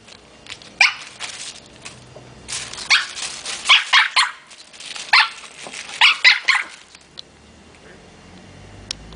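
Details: Barking parrot busy with a plastic bag: scattered groups of harsh, yappy barks among quieter rustling, with pauses between bursts.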